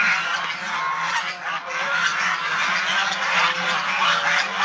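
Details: Loud, blended honking and rasping calls from many domestic Chinese swan geese, nearly unbroken for several seconds, with some noisy crackle mixed in.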